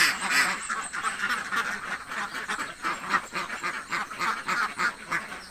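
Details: A flock of hungry village ducks quacks almost nonstop, rough nasal calls tumbling over one another at a fast, uneven pace of about three per second.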